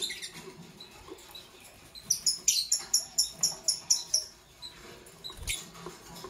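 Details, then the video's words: Kept Fischer's lovebirds, Parblue Violet and Pastel Green Opaline colour forms, in the morning: a quick run of about nine sharp, high chirps, evenly spaced over two seconds, then a few scattered chirps against a quiet room background. "Relaxing Lovebird Chirping Sounds from Parblue Violet Fischer's & Pastel Green Opaline"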